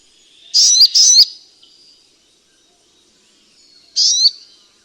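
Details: Sunbird sound used to lure birds: two sharp, high chips in quick succession, a pause of nearly three seconds, then a single matching chip.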